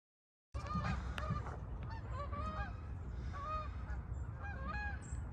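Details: A flock of geese flying south gives repeated nasal honks, several birds calling over one another in quick, overlapping bursts, with a steady low rumble of wind or background noise beneath.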